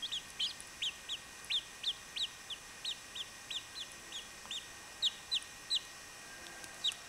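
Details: Baby chachalacas: thin, high peeps, each sliding downward, repeated about every half second in an irregular series. Fairly faint over a steady background hiss.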